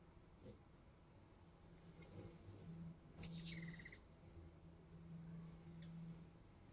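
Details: Ruby-throated hummingbirds, three of them battling at a porch feeder in summer (July 2020): one quick burst of high, squeaky chattering as birds clash, over steady insect trilling and a low wing hum.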